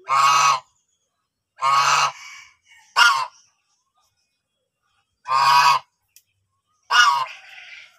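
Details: White domestic geese on a farm, a pair seen courting in a water tub and laying eggs, give loud, harsh, nasal honks, five in eight seconds, each about half a second long, at an uneven pace with short pauses between.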